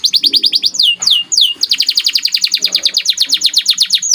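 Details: White domestic canary song used for training: quick high chirping trills, a few loud downward-swooping notes near the start, then a long run of rapid evenly repeated chirps.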